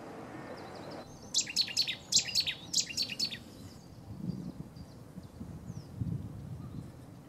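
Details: Territorial or courtship display song of a Cetti's warbler at Newport Wetlands Reserve, an explosive phrase of three or four loud, sharp repeated note groups over two seconds, then faint distant chirps and low rumbling background noise.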